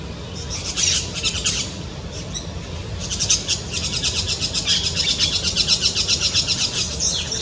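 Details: White-winged parakeet in the Brazilian Amazon: after a few scattered shrill notes, a rapid run of high, scratchy chattering calls repeats about four times a second and grows louder toward the end. A low rumble sits underneath.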